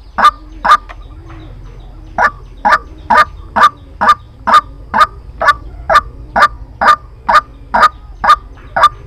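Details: Repetitive harsh croaking of a White-breasted waterhen, recorded as a lure for trapping: two opening notes, a short pause, then a long even run of loud clipped calls roughly twice a second.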